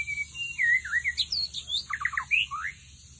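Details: White-rumped shama song played as a lure deep in the forest: a rich, varied run of slurred whistles sweeping up and down, then a quick cluster of tumbling notes and a final rising whistle, over low background hum.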